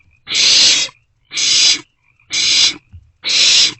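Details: Barn owlet begging during a shared meal in a nest box, early hours of 27 March 2024. Four loud, breathy rasping screeches spaced about a second apart, with silence between them.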